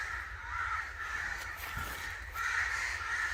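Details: Several crows call angrily together, with rough, hoarse caws blending into a steady wall of sound that swells toward the end.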